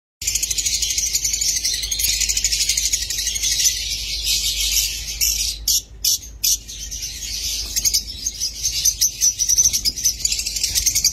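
Lovebirds chatter in a dense, shrill stream of high, rapid chirps and squeaks, with a few brief pauses and many birds calling at once.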